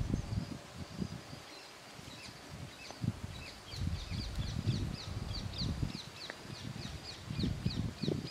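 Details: Parakeets feeding, giving a rapid run of short, high, down-slurred chirps about twice a second through the second half, over loud low rustling and knocking from the feeding birds.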